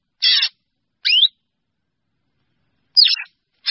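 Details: Drongo flock call: a grating buzzy note, a rising whistled slur, then after a pause a twisting whistle with a rough tail and the start of another harsh note.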